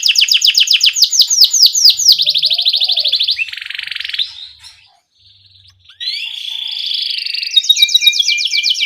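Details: Gacor canary singing a ngerol rolling cuit-cuit song, used as a lure and master recording to get young canaries singing fast: rapid high descending sweeps, then a buzzy trill, a near-silent pause, and a rising note into fast rolls.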